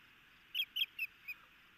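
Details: Alert osprey pair at a nest cam of the Montana Osprey Project in Hellgate Canyon, Missoula, Montana, 6 June 2018, the male chasing an intruder: four short, sharp, down-slurred whistled notes in quick succession over steady rushing background noise.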